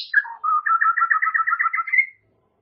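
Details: White-rumped shama song: a high opening note, then a rapid run of about fifteen bright, trilled whistles that slowly climb in pitch and end on a sustained high whistle.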